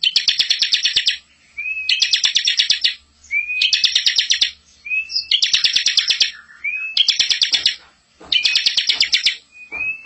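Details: Bar-winged prinia in full rolling song, recorded as teaching material for young birds: six fast, rattling trill bursts, each introduced by a sliding upward whistle, coming roughly every one and a half seconds.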